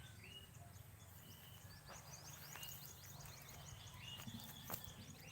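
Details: Bird calls on a farm in the Philippines, pleasant to listen to: rapid high chirps and short whistled slurs from several birds repeating quickly, over a low steady hum and occasional clicks.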